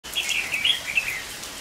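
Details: Red-whiskered bulbul singing in steady rain during bulbul trapping on 23 August 2019; a brief run of quick warbled, slurred phrases around a high pitch, with the hiss of falling rain underneath.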